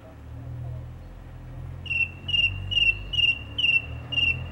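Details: A single song thrush singing in a garden in April 2021, heard daily from early morning to evening; a clear whistled note repeated six times at about two per second, each with a brief upper overtone, over a steady low rumble.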